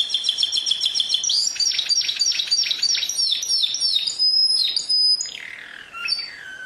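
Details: Singing canary: a rattling high trill, then a long run of repeated swooping notes, a sustained piercing whistle, and falling slurred phrases.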